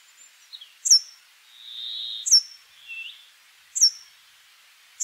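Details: Brambling singing: a drawn-out, nasal, buzzy wheeze followed by a shorter, softer buzz, set between loud, sharp, high-pitched ticks repeating roughly every one and a half seconds.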